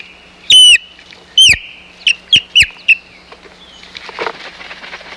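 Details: Osprey at the Hog Island nest, 4 May 2020, in a fight over the nest: two loud ringing whistled screams, three quicker chirps, then rustling and scuffling noise.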